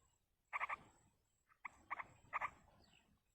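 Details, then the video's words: Wild Yellow-vented bulbul chicks begging as a parent feeds them, giving a few short clusters of two to three rasping notes with gaps between. "indukan burung trucuk meloloh anakan di alam"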